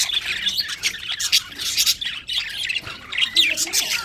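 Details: Winter budgies chatter steadily, a thick layer of high scratchy squawks and quick chirps rising and dipping in loudness every half second or so.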